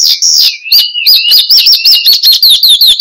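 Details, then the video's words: Singing Horsfield's bush lark, meant as lure and master song for cage birds. A buzzy opening phrase leads into looping, arched whistled notes repeated about two or three times a second, with sharp high ticks between. "Kicau Burung BRANJANGAN Gacor, Untuk Pancingan Dan Masteran"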